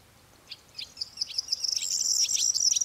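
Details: Corn bunting (Emberiza calandra), song.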